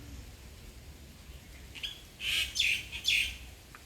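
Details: Bird calling: after quiet background, three sharp, bright chirps in quick succession, each a short high burst with a dipping twist, about half a second apart.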